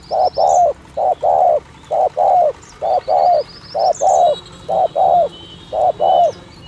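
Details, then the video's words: Spotted dove thổ thúc gù coos for decoying doves: low, hollow two-note phrases, a clipped first coo and a fuller second, repeated steadily about every second, with faint high whistles of other birds. "tiếng chim cu gáy chuẩn thổ thúc gù trang bị cho anh em thợ nhử"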